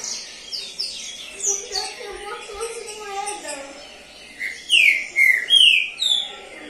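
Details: Caged competition trinca-ferro, a Green-winged Saltator that took third place in the season, bursts into a loud run of clear whistled slurs near the end, after a stretch of busy chatter from other birds.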